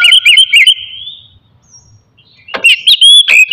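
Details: Oriental magpie-robin morning song used to stir aggression and breeding drive in other magpie-robins: a run of bright repeated whistled notes trailing into a long rising whistle, a quiet gap, then sharp sweeping phrases.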